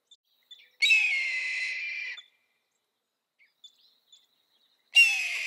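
A Red-tailed Hawk gives a long, hoarse, descending scream lasting over a second, then begins another near the end.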